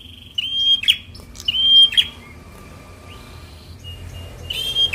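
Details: Bar-winged prinia, a young fighter-type bird, in a lure recording for lazy birds: quick phrases of a short high whistle ending in a buzzy crackle, three repeats with a faint rising whistle between.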